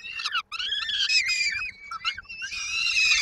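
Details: Hungry peregrine falcon chicks, Koszalin, Poland, 19 May 2022, waiting for their mother and supper: shrill, raspy, wavering screams run together almost continuously, with a brief gap early on.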